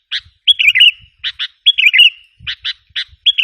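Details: Sooty-headed bulbul calling as a lure to rile up wild bulbuls. Paired sharp chirps alternate with longer bubbling, tumbling phrases, the pattern repeating about every second, with faint low knocks in the background.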